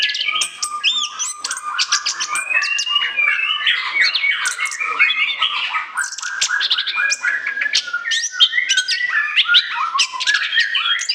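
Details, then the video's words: A continuous, crowded torrent of song from an orange-headed thrush, recorded as a lure: harsh squeaky notes woven with whistles and rapid chatter, never pausing across the clip. "ANIS KEMBANG NGOCEH NGEPLOOONG, SIAP JADIKAN PIKATAN"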